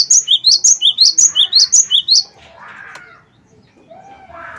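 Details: Gelatik batu (cinereous tit) of the wingko type, singing vigorously, used as a lure to get other birds singing: a fast run of clear two-note whistles alternating high and lower, about twelve notes in two seconds, then soft low chirps.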